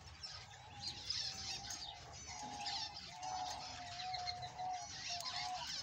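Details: Male budgerigar giving a continuous, fast, scratchy warble of chattering squeaks and clicks without pause, over a steady low tonal hum that wavers slightly in pitch.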